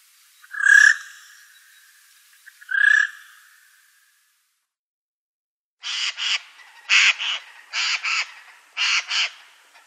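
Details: A Eurasian jay in daytime gives two harsh, tearing screeches two seconds apart, then a rapid string of short, scratchy rasps, mostly in pairs, against a quiet background.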